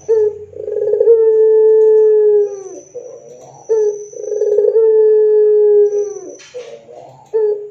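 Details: Persistent Barbary dove song, used to get other doves answering: three long hollow coos, each with a rolling burr at the start and a falling slur at the end, spaced roughly three seconds apart, plus a short hiss.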